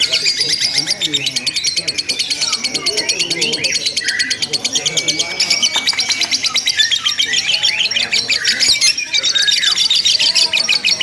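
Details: Simulated lovebird contest with long, unbroken ngekek chattering: shrill, buzzy trills and squeaky twitters run without a pause throughout, with brief sharp whistled notes mixed in.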